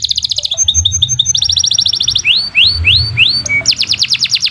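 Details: Long canary song intended as a master recording to stimulate other birds: quick changes between tours of rapid high notes, upslurred whistles repeated about every third of a second, and dry trills, with a faint low hum behind.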